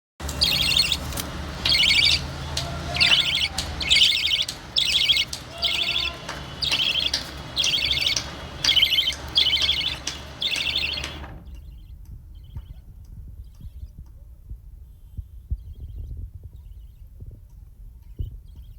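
A budgerigar gives bright, scratchy chirps, repeated about once a second before falling quiet.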